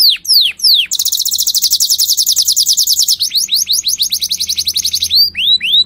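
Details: Canary song opening with sharp downward-swept chirps, then a long fast rolling trill of high notes, a second quicker trill, and more curved chirps at the end.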